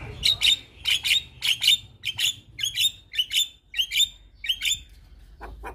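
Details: Black-winged starling song played to get other starlings singing: about ten sharp, bright double-note squawks repeated roughly every half second, then a pause and two fainter notes.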